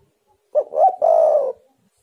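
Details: Single loud phrase from a spotted dove, used as a lure for wild doves: a short clipped note, a rising coo, then a long slightly wavering coo that falls at the end, in quiet surroundings.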